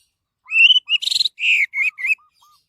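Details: Short phrase of orange-headed thrush song for luring other birds into song: a rising clear whistle, a buzzy trill, then slurred descending whistles, over a softer lower note series.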